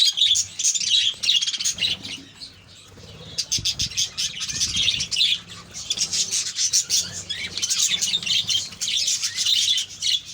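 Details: Many budgerigars in a breeding colony calling together, an unbroken high chatter of squeaky warbles and sharp chirps that swells and dips, with faint low thumps from the aviary beneath.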